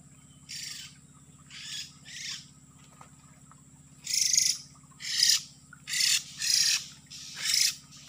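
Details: Oriental magpie-robin lure sound for bird trapping in an oil palm plantation: scratchy, broadband rasping bursts, first three spaced apart, then five louder ones in quicker succession after a pause, with a faint background hum.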